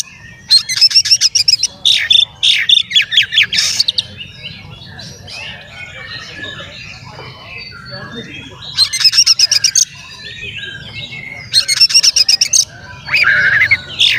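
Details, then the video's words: Oriental magpie-robin song meant to make other magpie-robins agitated and open their tails: repeated bursts of fast, rattling, high-pitched buzzy notes mixed with richer warbled phrases, faint bird chatter between bursts. "SUARA BURUNG KACER GACOR ngeplay santai MANGGIL kacer auto KONSLET buka ekor TERAPI KACER agar EMOSI"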